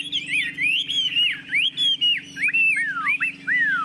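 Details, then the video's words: Tame caged Chinese hwamei singing confidently with its tail fanned: loud, clear whistled phrases that slur up and down, sweeping downward in quick repeated notes, with a steady low hum underneath. "Họa mi thuần sách lồng hót, đuôi xòe, ngũ trường hót cao cầu"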